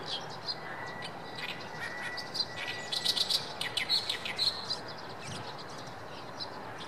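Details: Oriental reed warbler in a rice paddy at Shinkai on 7 May 2014, giving a harsh, rattling chatter of grating syllables in the middle of the recording. A thin steady whistle and a broad wash of background noise accompany it.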